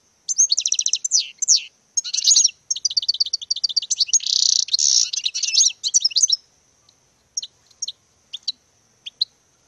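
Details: European goldfinch courtship display song: fast, tinkling twitter of high, clipped notes in dense runs with a buzzy trill in the middle, then sparse single chirps after about six seconds over a steady thin high tone.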